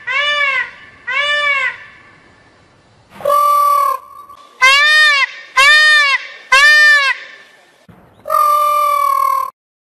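A peafowl gives seven loud, nasal, wailing calls over ten seconds, some arched and short, others drawn out on a steady tone.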